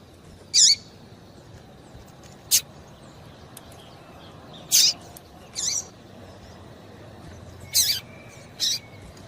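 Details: Female papa-capim seedeater calling to get males worked up, giving short, piercing high chirps at uneven spacing, some ending in a falling slur, over a low hiss.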